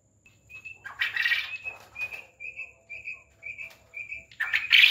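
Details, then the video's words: Quail kept on a farm: one harsh buzzy burst, then around seven evenly spaced short high peeps, ending in another loud rasping burst. "Quail Voice||Batar ki Awaz"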